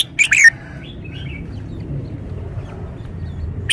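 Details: Caged red-whiskered bulbul showing its song style: a short, emphatic phrase of two or three clear, slurred whistles falling in pitch, then soft chirps, low background noise and a new note at the end.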